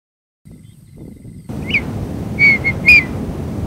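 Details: Red-winged tinamou (Rhynchotus rufescens) giving a few clear, fluty whistled notes, one short note followed by three quick ones, over a steady low rumble of wind or distant noise.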